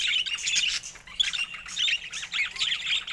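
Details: Steady high, buzzy warbling from pet budgerigars of various colours, quick squeaky chirps running together almost without pause.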